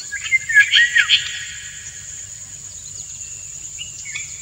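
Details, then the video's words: Courting male Indian golden oriole singing to stimulate a dancing female; a burst of loud, fluty, slurred whistles in the first second, then quieter scattered notes over a constant shrill insect hum. "Indian Golden Oriole - An Uncut Courtship Session"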